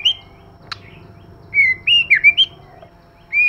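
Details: White-rumped shama pair, male with female, in 'kích lửa' singing: a sharp tick, then a run of clear, downslurred and upslurred whistles, with faint hum behind.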